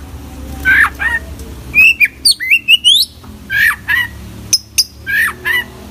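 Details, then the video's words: Full-repertoire singing from an Oriental magpie-robin: slurred whistles and quick rising chirps come in short irregular bursts, each note crisp and high, separated by brief gaps over a steady low hum. "kacer gacor full isian"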